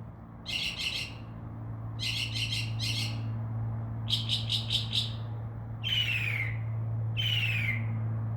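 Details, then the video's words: Northern mockingbird in a tree beside a window, mixing in imitations: rapid trilled bursts repeated three times with short gaps, then two long descending swept notes, over a constant low hum. "mocking bird makes crow sound, dove wing sounds and others"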